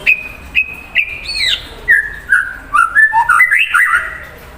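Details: Shama singing to rile an untrained bird: three steady whistled notes, a rising swoop, then a tumbling run of varied liquid whistles going up and down.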